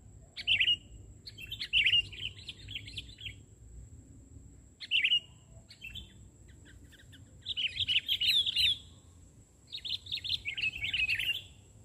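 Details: Sooty-headed bulbul (kutilang) in full song on the ground rather than a twig, recorded during bird trapping: about five bursts of lively, bubbly chattering warbles, each one to two seconds long, separated by short pauses, with a faint constant high-pitched hum behind.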